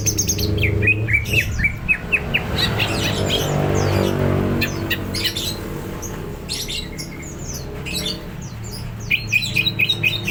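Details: Hyper greater green leafbird, said to be ready to fight, delivers loud, scattered high chirps and squeaky whistles, pausing midway while a droning low buzz rises, then resumes with quick repeated notes.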